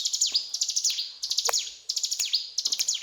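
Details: Quick chattering phrases from a mountain tailorbird, 'gacor cetrakan' style, each a run of piercing ticks finished by a falling slur, repeated several times within a few seconds.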